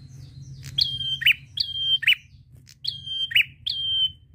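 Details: Prinia in full song, used to prompt other birds to sing: rising then level whistled notes, each closed by a shorter lower note, about six in close succession over a steady low hum.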